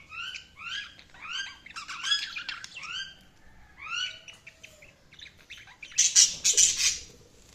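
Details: Budgerigars giving clear, rising whistled chirps repeated in quick series, followed by a burst of loud, harsh scratchy squawks near the end.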